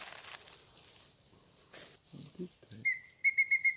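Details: Mayan Antthrush in Yucatán, March 2019: after some rustling and a few soft low thumps, a fast series of pure whistled notes begins and repeats steadily at one pitch.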